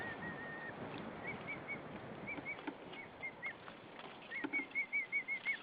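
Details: Female white-tailed eagle at a nest in Saunja, Estonia, calling to her mate as he arrives with hay, 20 March 2013, 18:13. A long high note, then short yelping notes that quicken into a rapid, repeated run at the end.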